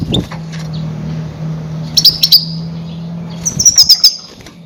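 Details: Goldfinch calls used as a lure when trapping grey-headed goldfinches: two short bursts of bright, high, rapid twittering notes about a second and a half apart, over a steady low hum.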